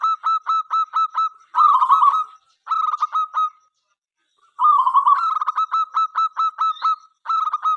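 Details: Local zebra dove in energetic song meant to invite other doves to sing: long chains of crisp staccato notes mixed with purring trills, with one silent pause midway.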